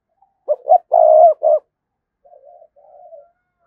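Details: Spotted dove cooing as a lure to draw a response, two brief notes, a long steady coo and a short end note, followed by two quiet low murmuring coos.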